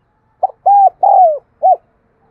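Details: Lure spotted dove cooing in a single phrase: a brief stutter, two long steady coos with the second sliding down, and a short closing coo; clean background.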